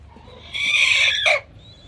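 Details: A rooster gives one strange, harsh, raspy squawk under a second long, ending in a brief abrupt downward note, over quiet hiss; such sounds seem to be a warning when roosters sense something strange or danger.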